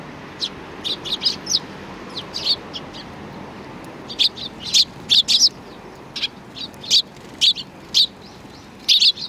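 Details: Sparrows chirp at a Tenmangu shrine in Japan on 4 July 2019. Loose volleys of crisp, high tweets come quicker and louder in the second half, with soft background noise.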